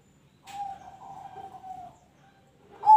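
Zebra dove giving a soft, steady mid-pitched coo held for about a second and a half. A second louder coo begins just as it ends.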